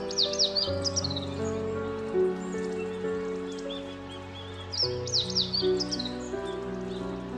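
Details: Male Meadow Bunting (Emberiza cioides) singing in early spring: two quick, high, tumbling phrases of sharp chirps and trills, about four seconds apart, over steady background music.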